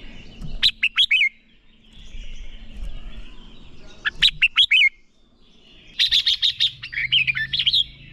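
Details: Red-whiskered bulbul giving a 'ché' competition-style training song, meant to spur young birds into fighting song: three bursts of fast, bright whistled notes sliding up and down, the last phrase longer and warbling, with a low hum beneath.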